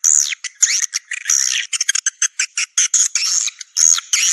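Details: Swiftlets calling, used to lure birds into swiftlet houses for roosting: loud, rapid, buzzy twitters with sweeping whistled notes, broken into short repeated bursts.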